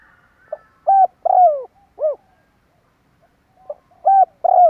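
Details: Spotted dove calling as a lure to draw birds in: a soft short note, then two loud cooing notes, the last drawn out and sliding downward, the phrase repeating about every three seconds in quiet surroundings.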